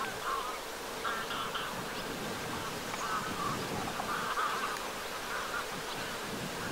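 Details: Greylag geese flying at sunset by Lake Vänern in Sweden, 13 August 2023, give short nasal honks in loose bursts, several close together, set against constant low rushing noise.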